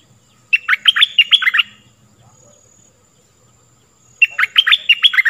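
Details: Lure song of a stripe-throated bulbul, played to train young birds and draw in wild ones. A rich burst of fast, liquid notes sweeping up and down, then a pause of several seconds before the phrase starts again.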